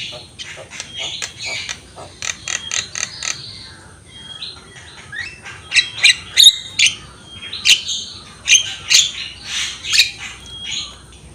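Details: Javan myna in full song, recorded as tutor material for training birds: rapid series of sharp clicks and chattering notes mixed with short level whistles, repeated in a steady, busy rhythm.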